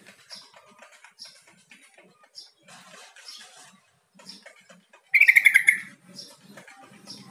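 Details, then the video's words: Yellow-vented bulbul luring call, played to make a kept bird answer: soft high ticks and chatter, then one loud rippling run of rapid bubbly notes lasting under a second, dropping slightly in pitch. "SUARA PANGGILAN TRUCUK"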